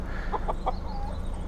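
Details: A couple of chickens carried in a box or bag on a road in Colombia: three short clucks in quick succession, then a brief drawn-out note, over steady low engine-like rumble.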